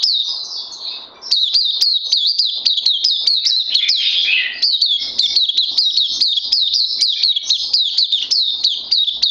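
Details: Oriental white-eye (puteh), given Lava Direct and Life Force supplements, day two, 31 May 2020: a continuous run of rapid, high, sharply down-slurred chirps after a brief quiet opening, with faint clicks behind.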